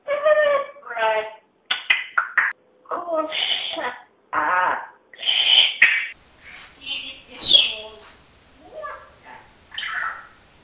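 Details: A talking pet parrot, said to entertain everyone with chatter all day, speaks indoors in a steady run of clipped, speech-like syllables with strong harmonics and a few higher squeaky notes, separated by brief pauses.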